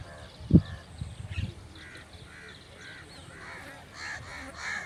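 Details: Crow uttering several coarse caws, growing louder toward the end, after a few low thumps and a brief low sound at the start.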